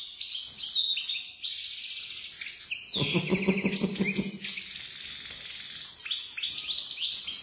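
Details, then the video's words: European goldfinch, praised as a first-rate "pisador", in a long stream of high, fast twittering and silvery trills, interrupted midway by a lower buzzy, rattling passage before the bright warble returns. "JILGUERO 🐤PISADOR DE PRIMERA👍"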